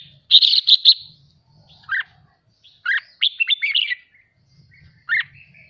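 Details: Red-whiskered bulbul trained to sing excitedly for contest: an opening loud buzzy rattled trill, then a fast run of whistled warbling notes and a final sharp chirp, with a soft low hum at times.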